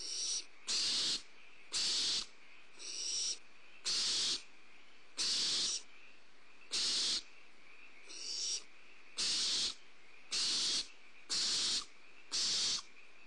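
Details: Barn owl owlets at a prey drop, filmed by a repositioned nest camera at Starr Ranch on 2 April 2011: loud harsh hissing screeches, each about half a second long, repeated roughly every second, with quieter hisses between them.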